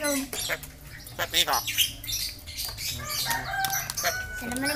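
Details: Yellow-eyed Javan myna imitating human speech, reportedly saying greetings, coughing and Javanese words; raspy speech-like phrases with wing flutters and sharp clicks, while a person says a greeting nearby.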